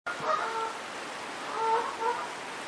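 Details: Geese by a stream during the day give a few short, nasal honks with clear overtones, clustered near the start and again after a pause, over a steady hiss of running water.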